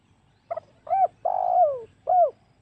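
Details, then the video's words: Spotted dove calling as a hunting lure to draw wild doves: clipped double note, rounded coo, long coo gliding lower, and a closing coo, all mellow and hollow. "SUARA PIKAT MEMANCING EMOSI SEMUA TEKUKUR//COCOK UNTUK BERBURU"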